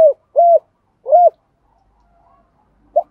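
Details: Decoy spotted dove calling to lure wild birds: three separate short, hollow coos in the first second and a half, a pause, then one more brief coo.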